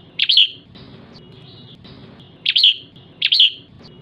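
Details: Female red-whiskered bulbul ché call to excite males: three bright double chirps, each a sharp note followed by a slurred one, spaced one to two seconds apart over faint hum.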